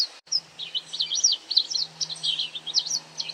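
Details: Feeding white wagtail catching insects, calling in a rapid run of high, bright chirps with zigzag up-and-down notes, nearly continuous for the whole clip, plus a faint low hum underneath.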